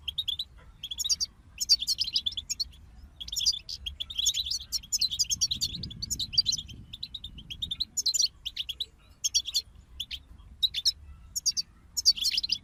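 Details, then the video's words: European goldfinches sing in a group for songbird motivation, giving steady runs of buzzy, twittering phrases separated by short gaps, continuing throughout with a low rumbling sound near the middle. "King of Songbirds Goldfinch Group Motivations for Songbirds"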